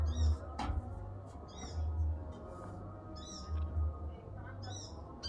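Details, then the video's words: Male sunbird in the wild giving short, high, thin chirps in scattered bursts over a steady low hum and background rumble. "Korlap jantan dialam bebas"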